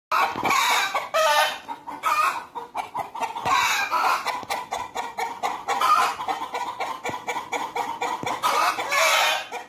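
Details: Noisy hens and roosters at Deokso Natural History Museum: a busy run of loud clucks and squawks, short harsh bursts repeating every second or so, with harmonic cackling notes mixed between them.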